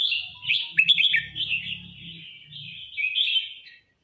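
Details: Red-whiskered bulbul singing at full force: a continuous run of bright, warbled, slurred phrases with quick rising and falling notes, a brief sharp note near the first second, over a low rumbling hum.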